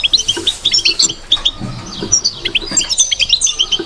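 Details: European goldfinch singing in the bitbita style: a dense run of quick, high, twittering chirps and short trills, steady throughout with brief liquid notes, plus faint low knocks underneath.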